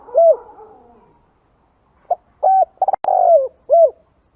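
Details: Dove call used to lure spotted doves: a lone hollow coo, a pause, then a quick burst of short notes running into a long descending purr and a final clipped coo, plus a sharp click.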